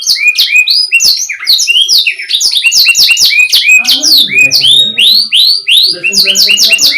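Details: Canary singing a clear, non-dominant tutor song meant for training young or stalled canaries: rapid high swooping whistles and chirps tumbling one after another, with a faint low murmur in the background midway.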